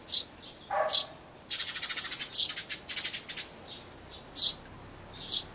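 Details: Nestling sparrows nearly ready to fledge, calling from a birdhouse on 12 May 2012: scattered high chirps, then a rapid, buzzy run of quick repeated notes lasting about two seconds, then more single sharp chirps.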